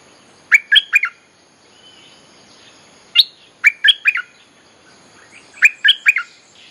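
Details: Bulbul lure song meant to attract wild birds, with three repeated phrases roughly every two and a half seconds, each a tight cluster of three or four bubbly, whistled notes.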